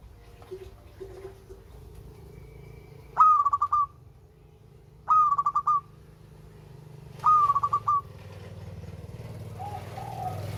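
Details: Local zebra dove repeating its cooing song three times, roughly every two seconds, each phrase a crisp note followed by a stuttering run of quick pulses, with a steady low rumble beneath that grows louder toward the end.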